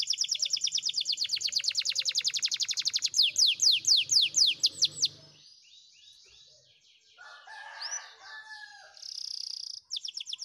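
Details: Spanish Timbrado canary training song: a very fast even trill, then louder descending notes, a quiet pause with soft warbling, and a brief high trill at the end.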